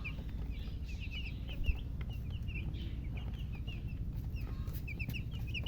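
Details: Newly hatched chicken chicks chirping loudly: many short, high, bright peeps repeated in quick irregular bursts, several chicks overlapping, over a steady low hum.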